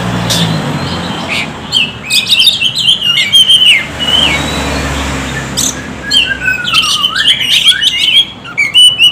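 Oriental magpie-robin singing a varied run of clear whistles, sweeping slurs and quick chattering notes, mostly high-pitched, with a faint low hum of traffic.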